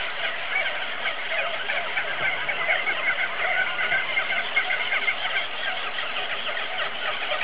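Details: Auklets on Buldir Island: a dense, steady chorus of countless overlapping chattering and trilling calls blending into a continuous rough roar, with a few clearer chirps rising above it.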